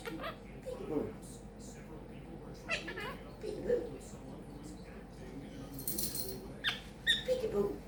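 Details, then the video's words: Small pet quaker parrot, a monk parakeet, chatters indoors. Its repertoire includes peek a boo, give me a kiss and thank you baby. There is a low, speech-like babble and a hissy burst late on, followed by a few high chirps. "CHATTING LITTLE QUAKER PARROT"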